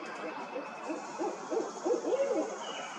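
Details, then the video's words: A pair of barred owls in 2024 trade deep, throaty hoots, the later notes arching and wavering into a rolling, excited run over a steady hiss. "Barred owl pair"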